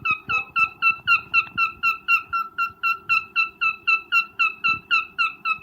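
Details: Breeding cockatiel's mating call: a long, very regular train of loud, clear, downslurred piping notes, roughly four each second without a break, with faint clicks beneath.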